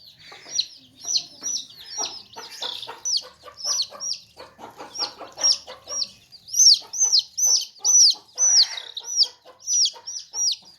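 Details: A basket of baby chicks peeping loudly and clearly: shrill, arched, downslurred chirps repeated about twice a second, some overlapping, with short low pecking or clucking knocks between them.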